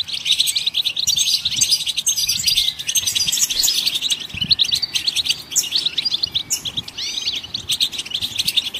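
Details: Goldfinches singing to encourage other songbirds: a fast, continuous stream of twittering chirps and short trills, with occasional rising whistled notes near the end, over soft low background noise.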